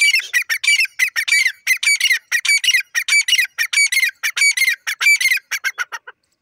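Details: Rapid series of loud, harsh, squawking notes from a grey francolin (teetar), delivered in quick bursts about every half second and fading at the end.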